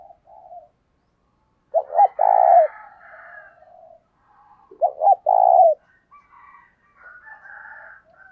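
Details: Spotted dove used as a decoy, giving 'gáy thúc sung' cooing meant to provoke wild doves: two phrases about three seconds apart, each two quick low notes then a drawn-out burry coo, with softer higher calls between.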